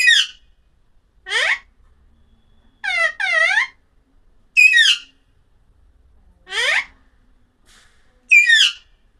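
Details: Alexandrine parakeet repeating harsh squawks roughly every one to one and a half seconds. The calls mix steeply rising and falling shrieks with a doubled screech in the middle, over near-silence.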